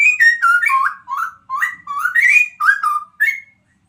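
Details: Sumatran straw-headed bulbul in loud, liquid whistled song: a rapid run of about a dozen rich notes sliding down and up, ending on a rising whistle, with no other sounds.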